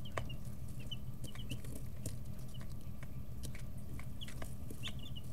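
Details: Chicks 11 to 13 days old in a brooder, pecking and stretching, wing and tail feathers growing in; scattered high thin peeps, some in quick pairs, over a steady low hum.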